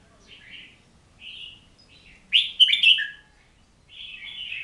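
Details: Song of an Oriental magpie-robin: soft whistled phrases with gaps, then a strong rich burst of slurred and falling notes, followed by a trailing warble; nothing else heard.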